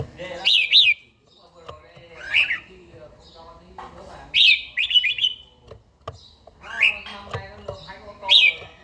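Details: Red-whiskered bulbul in morning song training, delivering short bright warbled phrases every second or two, each a quick rising-falling flourish, separated by pauses with faint clicks and low background murmur.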